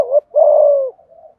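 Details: Spotted dove decoy bird with a 'giọng thổ' voice, cooing to lure wild doves. A short, low, hollow coo is followed by a longer steady note that slides gently downward, with a faint soft tail. The background is quiet.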